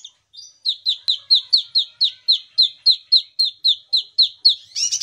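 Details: Lively kinoi song of the kind played to coax silent kinoi into singing: after a few thin opening notes, a long even series of bright downslurred chirps, roughly four per second, finishing with a rasping buzzy note.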